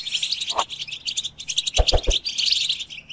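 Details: European goldfinch twittering song, quick high chirps and trills, overlaid by a few sharp clicks or taps near the middle.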